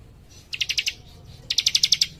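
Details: Young cikrak, a leaf warbler, singing actively in tight rapid bursts: two quick trills of about seven to eight bright, high chipping notes each, separated by a short pause, with a faint low hum behind.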